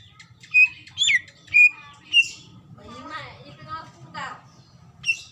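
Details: Female greater green leafbird calling the male, used as a lure to get other birds singing: sharp, slurred whistled notes, then a wavering, harmonic chattering passage, and more high whistles closing the sequence.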